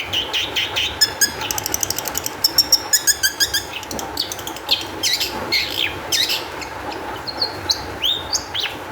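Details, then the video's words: Long-tailed shrike in agitated, energetic song meant to coax other shrikes into singing: quick rattling runs of clipped notes mixed with harsh bursts and a few rising whistled slurs. "cendet gacor EMOSI TINGGI cocok untuk PANCINGAN CENDET AGAR BUNYI"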